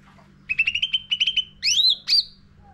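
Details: Short Sooty-headed bulbul lure song phrase for caged bird training. Two quick sets of chirps on one pitch are followed by two loud, sweeping rising whistles.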